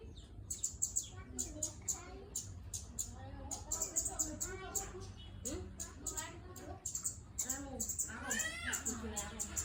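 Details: Scarlet-headed flowerpecker singing actively: rapid, sharp, high ticking chips repeated in quick bursts throughout, with human voices talking underneath and a low background hum.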